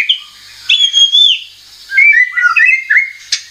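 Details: White-rumped shama lure song for drawing out rival singing. A drawn-out clear whistle is followed by separated bursts of quick warbled notes with brief quiet gaps.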